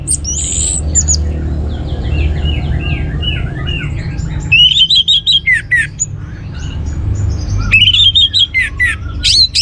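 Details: Song of an orange-headed thrush meant to trigger other birds to sing: varied soft warbled phrases at first, then loud rapid trills of sharp repeated notes in two bursts, with a persistent low background hum.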